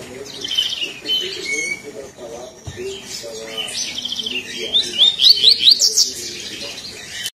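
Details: A captive lined seedeater sings strongly and loudly in its "tui tui" song: a quick string of bright, high chirps and buzzy notes, ending in a run of rapid rising whistled trills, with faint voices behind.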